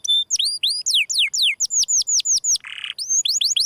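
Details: Canary 'gesekan' song made of loud, clear downslurred notes repeated about five times a second, broken midway by a short harsh rasping burst before the falling notes resume.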